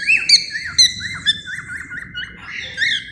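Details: Cockatiel warbling, used for taming: bright whistled notes, then a run of quick wavering trills near one pitch, ending with rising chirps.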